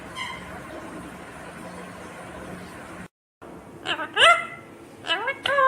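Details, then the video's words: Indian ringneck (rose-ringed) parakeet, a talking green parrot, chattering in short, word-like bursts of rising and falling nasal tones, clustered in the second half after a quiet, hissy start. "Natural Sound of Talking Ringneck green parrot"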